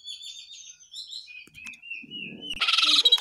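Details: Lesser shortwing (jongkangan) singing long drawn whistled notes that glide gradually downward and level out, followed by a burst of loud, dense, rapid chattering notes.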